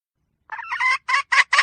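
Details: Domestic hen starting with a quick wavering rising phrase, then three short clipped harsh squawks in fast succession.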